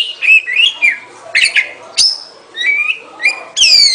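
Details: Oriental magpie-robin with soft wavering whistles and slurred notes, separated by short pauses, ending in a bright, high rising phrase.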